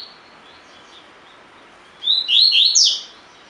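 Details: Caged collared seedeater giving a tui tui song phrase, recorded to train other birds; quiet at first, then a one-second cluster of bright, swooping high notes near the end.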